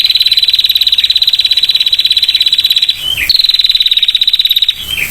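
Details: Sustained clear ngetir trill from a female prinia: a long stream of fast, even, high pulses breaks off with a falling slurred note. Then a second rattle of similar pitch runs on for about a second and a half.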